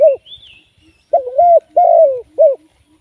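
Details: Close, loud cooing from a spotted dove used as a live decoy for trapping: a brief coo, then a deep three-note phrase with a drawn-out middle note, and a faint high whistle from another bird.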